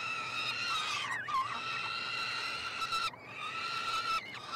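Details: Three peregrine falcon nestlings at the University of Montreal nestbox, Quebec, Canada, begging during a feeding on 21 June 2022. Long, even, rasping screams held for seconds at a time, broken by two short gaps and a downward slur.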